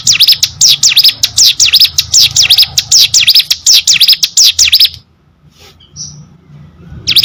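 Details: Hill prinia, singing energetically, pours out a run of high, sharp downward-and-upward chirps for about five seconds, falls silent apart from one faint note, then starts again.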